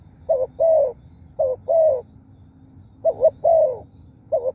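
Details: Repeated coo phrases from a spotted dove, each a short throbbing double note then a drawn-out mellow coo that slides down at its end, three full phrases and the start of a fourth, low background hum.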